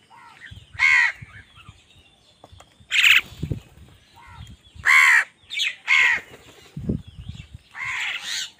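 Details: Harsh, ragged crow caws come in irregular bursts, roughly six loud calls over nine seconds, as crows fight other wild birds for food. Softer rustling and faint chirps sound between the calls.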